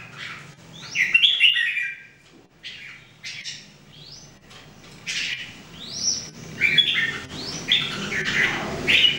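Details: Three caged Red-whiskered Bulbuls, locally called jambul, in daily singing practice: short bright whistled phrases rising and falling, repeated with brief pauses, several birds overlapping.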